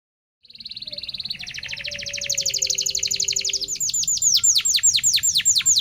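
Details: Local canary song used as a lure to teach young canaries to sing: a steady high trill that shifts into a fast buzzy rattle, then into loud, repeated down-slurred sweeping notes about three per second.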